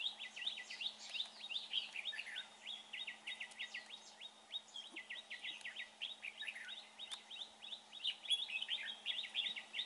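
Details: Red-whiskered bulbul recorded during bird trapping, praised for its fine voice: a dense run of rapid, sharp, chirping notes, repeated almost without pause and slurring up and down, with faint background hiss.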